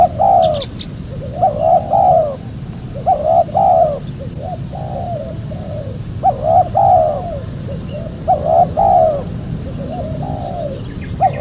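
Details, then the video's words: Spotted dove coo series used by trappers to attract wild doves: rhythmic soft hooting phrases with short lead notes, repeated steadily, a faint high chirp early on, and a steady low hum throughout. "PEMANGGIL BURUNG TEKUKUR SUPER JERNIH"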